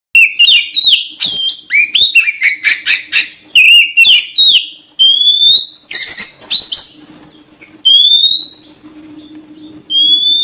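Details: Oriental magpie-robin song used as a lure to attract birds: a rapid run of sharp whistled notes and rising slurred phrases, some buzzy, varied and continuous, with a faint low hum underneath.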